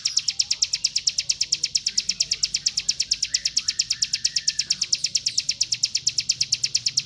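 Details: Mountain white-eye delivering a fast training song meant for teaching other birds: high, evenly spaced chirps pouring out at about seven per second without a break, with a soft background hum.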